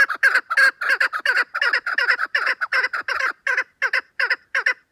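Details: A chukar partridge gives a continuous, loud chattering series of harsh clucking notes, often in quick pairs, about three per second throughout; possibly overlapping callers, nothing else audible.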